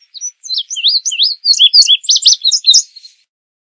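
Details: One full indigo bunting song: a lively, accelerating string of slurred, high whistles, many of them paired, rising and falling over about three seconds.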